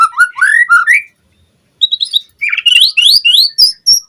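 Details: Lure recording of White-rumped shama song for training captive birds: a rapid series of slurred rising whistles, a short pause, then bright high notes climbing in quick succession.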